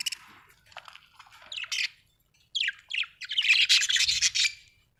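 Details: A happy budgerigar chirps in rapid, scratchy warbling bursts, pausing briefly near the middle before a dense, chattering run toward the end.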